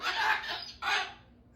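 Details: Pet cockatoo indoors, upset about strong wind outside: two harsh, raspy squawks, the first longer and the second shorter after a brief gap.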